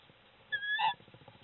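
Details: An incubating female tawny owl on her nest in cold late-winter conditions gives one sharp, nasal, harsh call lasting under half a second, calling her mate to bring food, over a faint low background rumble.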